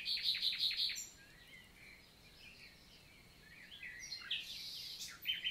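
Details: Common nightingale in morning song, Célé valley, Lot, France, summer 2023: a quick series of five loud repeated whistled notes, a quiet gap with faint notes, then varied twittering phrases toward the end.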